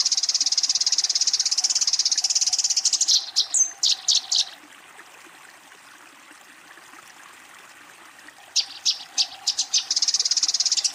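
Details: Eurasian tree sparrow in a fight, calling a rival: fast chattering chirp series at the start and end, broken by a few separate sharp notes and a quiet gap of about four seconds in the middle.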